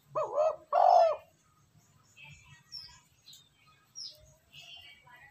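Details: ['Spotted dove lure coo meant to stir wild doves and train decoy birds: a quick soft note and a strong held coo at the start, then quiet faint twittering of small birds.']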